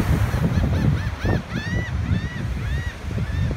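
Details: Laughing gulls on Hatteras Island at Buxton, North Carolina, 22 May 2016: several nasal, arched calls that rise and fall in quick succession, some overlapping, over heavy surf and wind rumble.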